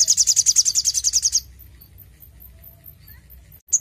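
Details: Sogon in full song, used to stimulate other birds to sing: a fast, very high trill of sharp repeated notes, about twelve per second, lasting over a second before quiet, with one last short note.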